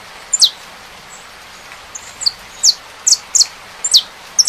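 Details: Saffron finch singing with rain sounds: scattered high, thin descending chirps, single and paired, with a steady hiss of rain underneath.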